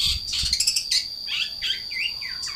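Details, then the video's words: Energetic long-tailed shrike song mixing scratchy high bursts with clear downward-slurred whistles, a steady high whine running underneath. "Cendet pastol gacor"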